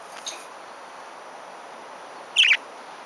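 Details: A pet parakeet gives a single harsh, scratchy squawk about a sixth of a second long, following a very faint earlier note against a quiet background hiss.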